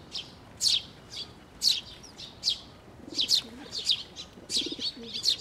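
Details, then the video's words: Sparrows, including fledglings, fly in to a water bridge at a Tenmangu shrine to be fed on 11 May 2024; sharp, high chirps repeat about twice a second in bursts, with soft pigeon cooing low in the background. "水上橋に 餌を貰いに飛んで来る雀達、巣立ち雛鳥"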